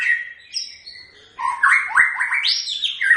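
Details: Typical song of the white-rumped shama: a clear sustained whistle opens, then a quick series of loud, stepped and slurred notes ending in an arching upward-then-downward whistle.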